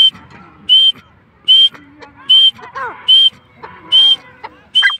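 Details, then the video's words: Francolin calling: loud, high, piercing whistled notes repeated at a steady rhythm, roughly one every 0.8 seconds, with human speech and faint other sounds in the gaps between notes. "Teetar ki awaz/ Teetar sound/Teetar voice/ Teetar ki boli"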